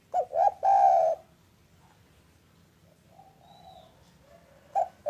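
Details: Afternoon cooing of a local spotted dove, meant to coax silent doves into calling: a quick burst of short coos ending in a long sustained coo, then a faint distant coo and another short coo at the end.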